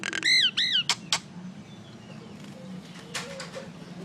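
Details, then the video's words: Common myna making noise: a few loud arched whistles followed by harsh broadband squawks, then quieter chatter over a low steady hum. "Mynah Bird Acridotheres tristis, Little Mynah Bird making Noise"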